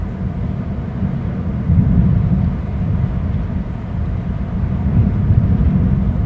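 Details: Heavy low wind rumble swelling and fading, with no calls audible.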